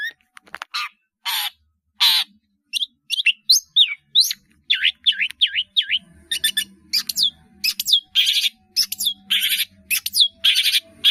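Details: Caged long-tailed shrike in full song packed with filler phrases, for training caged birds; harsh bursts give way to fast, bouncing slurred whistles and chirps in steady sequence, with a faint low hum behind.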